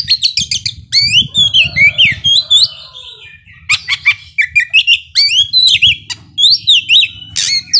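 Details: Singing Oriental magpie-robin, song meant to provoke slower birds into emotion: fast chattering rattles, then varied upward and downward whistled slurs and scratchy notes in dense bursts, a brief lull midway before renewed rapid phrases.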